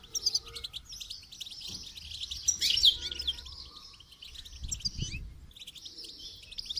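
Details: Goldfinch during song training: fast, bright twittering phrases of high chirps, a brief louder burst midway and a short lull near the end, with low thumps in the background.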